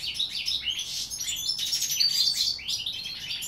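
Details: Fast, unbroken goldfinch warbling recorded in 2016: liquid high twitters mixed with short buzzy notes, tumbling over one another throughout.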